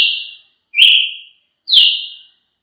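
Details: Three sharp whistled notes from a Brazilian tanager, each starting high and sliding down before fading, spaced under a second apart.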